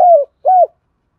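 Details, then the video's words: Spotted dove used as a lure bird to draw in wild doves: two short, low, mellow coo notes, each gliding slightly downward, separated by a brief pause. "tiếng chim cu gáy mồi thúc và gáy gọi giọng rất nhạy bổi"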